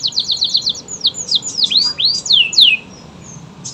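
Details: Canary of local, AF or AFS type in song variation: quick repeated high chirps, then a run of sweeping whistled slurs curving down and up, ending in brief quiet.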